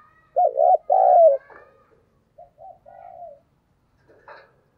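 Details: Spotted dove used as a decoy to lure wild birds. Gives a loud double coo, then quieter coo notes, ending in a brief faint scratchy sound.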